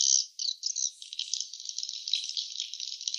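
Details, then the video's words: Swiftlets at a nest give a loud opening burst of harsh twittering, then short rasping phrases and a continuous high clicking rattle. "suara sarang burung walet ( swiftlet sound )"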